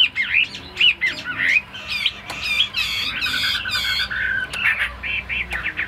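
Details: Caged tame Chinese hwamei mixing harsh, buzzy squawking notes with zigzag whistles, then finishing with a row of evenly spaced rising whistled notes.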